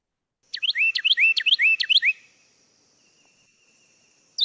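A Carolina Wren sings a loud, rolling burst of four quick repeated phrases, each a sharp high note dropping into a lower slurred whistle, then silence.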